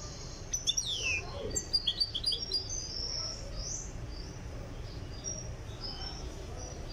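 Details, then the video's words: European goldfinch of Tiaret, Algeria, in song training, opening with a rapid burst of high twittering chips and slurred notes that then thin into softer scattered twitters over low background noise. "تغريد مقنين تيارت (في طريقه إلى الجهوزية)"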